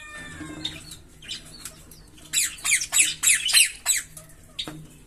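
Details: Green Fischer's lovebirds, a pair, singing with a rapid series of loud, harsh, high chirps, about five in one second, after quieter scattered squeaks and a faint thin whistle.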